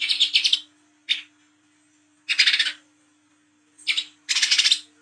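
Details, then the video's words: Olive-backed sunbird, a 'wiceh trotol' performing its 'ngriwik' song, used as a lure for young birds and recorded at night: five bursts of dense, scratchy high chatter, some longer and trilled, separated by short pauses, with a steady low hum underneath. "KOLIBRI KELAPA WICEH TROTOL GACOR NGRIWIK NGLAGU"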